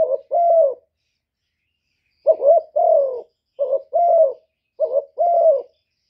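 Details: Decoy spotted dove repeating its gáy gù coo, four two-note phrases after a short gap, each a quick hooked note then a sustained gently falling coo, otherwise quiet.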